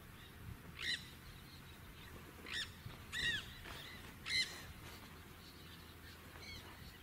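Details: A Nanday parakeet (Aratinga nenday) gives five harsh, grating screeches at irregular intervals of one to two seconds, over a low steady background hum.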